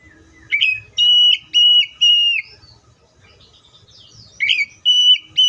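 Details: Caged Oriental magpie-robin singing evenly spaced, level whistled notes, each opening with a quick sharp upward flick, three in a row, a pause, then two more.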